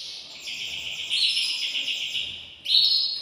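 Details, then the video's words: Caged male canary singing to excite a female for breeding: sustained high whistled tones with a soft hiss in the background, ending in a louder sharp whistle. "تغريد ذكر كناري هائج يريد تكسير القفص يحفز الأنثي لتزاوج"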